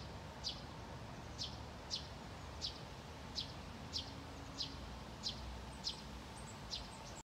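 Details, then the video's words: Two Eurasian tree sparrows calling in shrubbery in Haga, 24 August 2021: short, bright chirps, about ten in seven seconds at an uneven pace, over a low background rumble. "Pilfinkar lockar"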